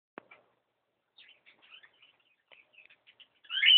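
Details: Cockatiel indoors, recorded on a mobile phone in a room: a few faint soft chirps and clicks, then a loud, harsh, rising screech at the end.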